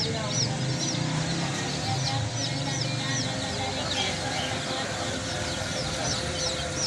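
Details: Domestic chicks chirping with scattered high, curved peeps over a steady low hum and faint voices.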